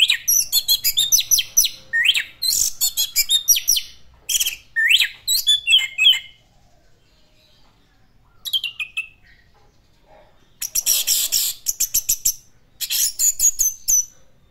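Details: Orange-headed thrush, locally anis merah, in full classic-style song. Rapid, dense bursts of high chirps, trills and slurred whistles pour out in phrases of about two seconds, broken by short pauses.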